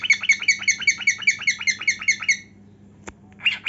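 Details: Singing, dancing cockatiel delivering a fast run of about twelve bright, harsh, chattering notes at an even pace, then a pause, a click and one more chirp.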